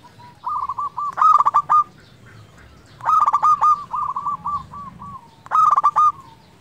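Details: Local zebra dove in steady song, played to rouse lazy doves and raise their breeding drive: three loud, rapidly stuttering phrases spaced roughly two seconds apart, linked by trains of short coos.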